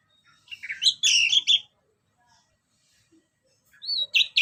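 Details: Anis merah, the orange-headed thrush, singing as a lure bird: a quick jumble of buzzy, varied whistles, silence, then a brief rising whistle followed by sharp chirps.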